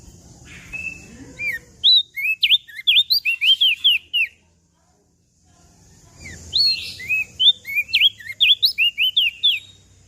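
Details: Lively song of a mountain leaf warbler, heard day and night: two bursts of rapid, high, zigzagging whistled notes, a dozen or so each, separated by about two seconds of silence.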